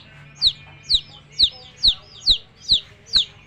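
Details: Baby chicks with a hen: a clear, steady series of high, thin peeps, each sliding quickly downward, repeated about twice per second, with faint low background hum.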